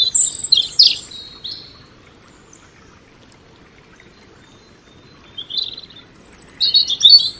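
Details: Song of a European robin, with bursts of rapid, high, tinkling notes and thin whistles separated by a silent gap of several seconds, then a fresh jumbled phrase near the end.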